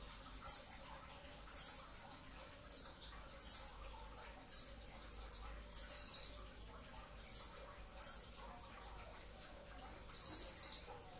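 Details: Brown-throated sunbird (konin dacok, kolibri ninja dada coklat) singing in the '2tak' style with dense 'tembakan' shots, a training recording made at sahur before dawn: sharp, very high descending notes about once a second, with two longer buzzy trills, over a faint low hum.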